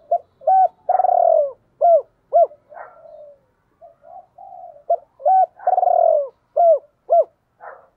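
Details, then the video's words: Spotted dove used as a decoy, cooing in the 'hai hậu' style: two full phrases, each of quick hoots, a long purring falling coo and two sharp arched closing notes, separated by quieter mumbled coos. "Chim Cu Mồi cu moi chuan gáy gọi hai hậu mới nhất"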